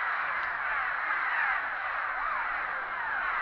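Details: Cliff swallows crowd their bridge nests at Big Stone NWR, calling while disturbed by a GoPro held over the side; dense chattering with short rising-and-falling squeaky notes standing out from the mass of calls.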